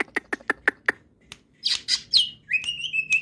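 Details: With crest raised, a greater green leafbird in ngetrok singing gives a quick run of five dry ticks, then loud harsh rasping notes and a high, drawn-out whistled trill.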